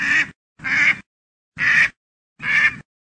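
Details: Duck quacking, four loud nasal quacks spaced under a second apart in a clean recording.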